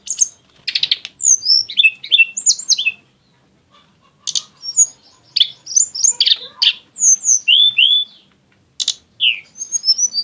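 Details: Exotic-style song of a mountain flowerpecker, or tledekan gunung, with showy bursts: clusters of sharp high chips and swooping whistles, a silent gap near three seconds, then more twittering phrases and rising slurred notes.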